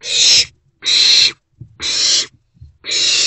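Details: Owlets, three together in a nest box, 13 April 2024, night to midday: long, loud, harsh hisses about half a second each, repeated four times in quick succession with only brief pauses and faint shuffling between.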